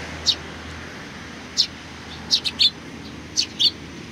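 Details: Eurasian tree sparrows greeting a visitor, 27 July 2020, with crisp high chirps, one early, then clustered pairs and triplets, roughly one call per second with uneven spacing, over a soft background rumble.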